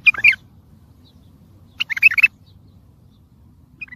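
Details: Bulbul singing a tayyariyat phrase for the training of birds: two short, scratchy bursts of warbled notes about two seconds apart, followed by a faint final note, over a soft low background noise.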